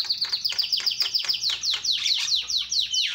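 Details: Javan myna in loud calling meant to stir other mynas: a rapid series of high, sharply falling whistled notes, about two to three per second, over a steady high tone.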